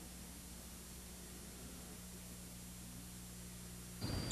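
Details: Low electrical hum and tape hiss from an old recording, nearly silent, ending in a short burst of mechanical noise; no animal voice is heard.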